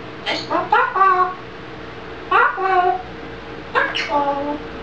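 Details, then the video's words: Talking grey parrot speaking Czech, giving three short bursts of speech-like syllables about a second apart, each with bright stacked tones, over a faint steady background hum. "Mluvící žako ( Talking grey parrot - Czech )"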